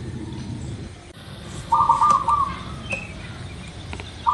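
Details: Local zebra dove, played to get birds singing fast: after a quiet start, one fluttering coo phrase sounds near the middle, and another begins right at the end, with hiss and a faint high note between them.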